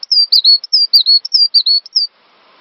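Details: A cinereous tit sings a quick string of bright whistles on a master track used to train songbirds; notes alternate between steady tones and short downward dips, stopping abruptly before two seconds of near silence.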